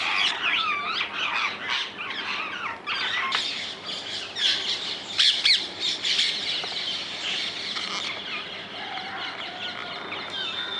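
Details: Rose-ringed parakeets, also called Indian ringneck parrots, calling in the wild in the Netherlands: dense harsh screeching squawks from several birds, overlapping and rapidly repeated, some rising and falling chevrons, a constant chattering flock sound.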